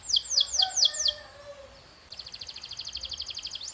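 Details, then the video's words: Canary training sound: a few loud downward-sweeping whistles in quick succession, a short lull with faint low tones, then a soft rapid high trill. "This Sound Will Make Your Canary the LOUDEST in the Neighborhood"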